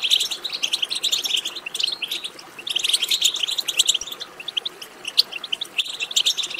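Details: European goldfinch twittering (betbeta), a track used to stimulate goldfinches to sing: dense, overlapping high chattering notes in rapid bursts, with a brief lull near the middle before the busy twitter resumes.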